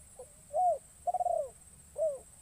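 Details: A newly trained decoy spotted dove coos in woodland to lure wild birds: a brief note, a smooth arched coo, a fast fluttering rolled coo, and a closing falling coo.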